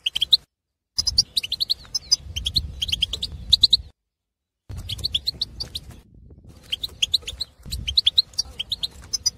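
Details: Breeding male goldfinch, wild Algerian bird in an aviary, used for stimulating silent goldfinches: lively, jumbled high twittering with bright chirps and short trills, delivered in long bursts between brief silences over faint low noise.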